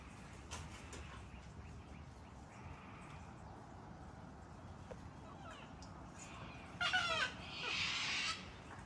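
Late in the recording, a cockatoo gives one harsh, rasping screech, then a longer grating squawk. Quiet background noise and faint ticking sounds come before it.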